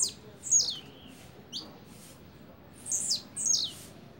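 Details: High buzzy downslurred notes from a blue-black grassquit in double song, a short note followed by a tight pair of louder sweeps, with low background hum.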